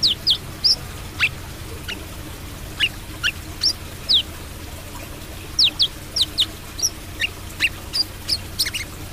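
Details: Brown-throated sunbird singing 'trotol' style: crisp, high, staccato chirps in uneven bursts, sometimes two or three close together, over a quiet low hum.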